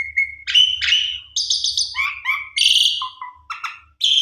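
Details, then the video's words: Varied gacor singing from a Javan pied starling, a lure track for a sulking bird: steady whistles, buzzy high bursts and lower fluty notes in a loose, changing sequence, with only faint low rumble beneath. "Jalak Suren PUNDUNG !! Coba Putar 1 Kali PANCINGAN Jalak Suren Suara ISTIMEWA Gacor Vareasi Komplit"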